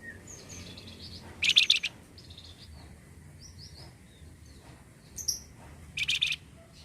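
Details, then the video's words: Flamboyan bird song, used to stimulate other flamboyan birds to sing: short bursts of harsh, rapid chattering notes, two main bursts, mixed with thin high whistles and faint twittering in the background. "Pancing bunyi burung Flamboyan"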